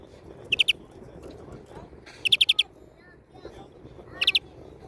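A European greenfinch gives bright, high twittering bursts of three to five quick notes, repeated about every two seconds over a quiet background.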